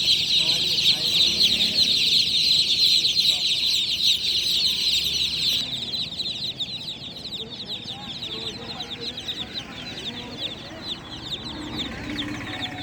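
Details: Just-born chicken chicks peeping loudly at night, many birds calling at once; rapid high chirps pour out densely, about 160 a minute, then thin out slightly and grow quieter in the second half.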